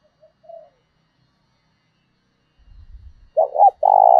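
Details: Spotted dove decoy with a 'thổ đồng' voice, calling to spur a fight. A faint coo comes early. A low rumble precedes a loud double note and a long, rolling coo at the end.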